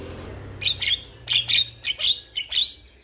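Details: Male Javan myna calling to a female: a series of short, sharp chirped notes, about eight bursts in quick, slightly uneven succession, bright and high-pitched over a quiet background.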